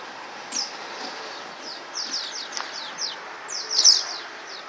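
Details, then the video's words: Chirping swallows in flight over the Tudor neighbourhood of Csíkszereda: a stream of high, falling twitters, growing denser and louder toward the end, with a background hiss. "Fecske repülés, és csiripelés"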